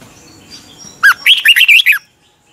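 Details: Red-whiskered bulbul in a morning singing practice, a caged bird trained as a lure: one burst of about one second of loud, fluty, warbled notes rising and falling, after faint background hiss.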